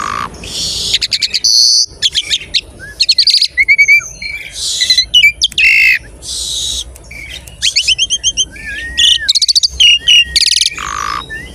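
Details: Lure song of an Asian pied starling meant to set other starlings singing, packed with stuttering clicks, harsh buzzy bursts and short rising and falling whistles, delivered in quick loud runs with brief gaps.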